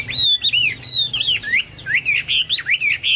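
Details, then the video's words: Chinese hwamei in vigorous song, compared to cucak Papua or cucak mas: loud, sweeping whistles that twist up and down in quick, varied phrases. "burung hoa mi seperti cucak Papua atau cucak mas gacor"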